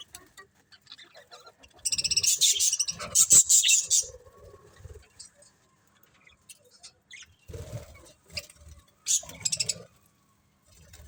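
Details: Happy colony of budgerigars chirping: two loud bursts of high, scratchy chatter and squeaky tweets, separated by quieter stretches of faint chirps and low thumps.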